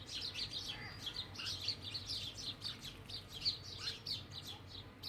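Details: House sparrows, locally called चिमणी, near a home, once common and now said to be rare; dense overlapping high chirps repeated rapidly throughout, several birds calling at once over a low steady background hum.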